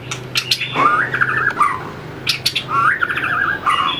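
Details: Tail-flicking White-rumped shama practising its fighting song on the perch: rising whistles leading into wavering, trilled phrases, repeated twice, with crisp clicks between them.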